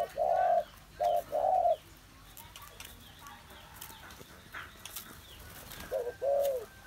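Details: A spotted dove, recorded 21 August 2021, delivers three mellow low coos, the last one stretched out, then falls silent for several seconds before starting again with a brief double note and a longer coo.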